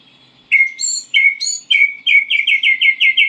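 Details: Short practice phrase from a white-rumped shama learning its song: clear downslurred whistles, then a fast run of repeated ringing notes, over a faint hum.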